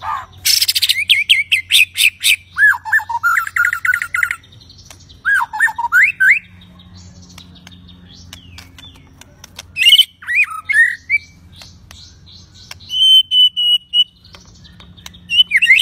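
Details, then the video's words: Raging white-rumped shama, meant to set off other shamas singing and fighting: bursts of buzzy rattles and twisting whistled phrases, separated by quieter gaps with a faint steady hum. "Murai Batu Ngamuk Rekomended untuk Pancing MB lain ikut Gacor + Fighter"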